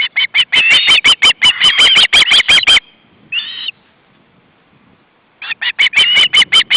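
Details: Three hungry young ospreys at the nest in August 2012 as the male brings fish. Two have fledged and one is the youngest. Loud, harsh, rapidly repeated calls in a steady pulsing run, a brief pause, then the run resumes.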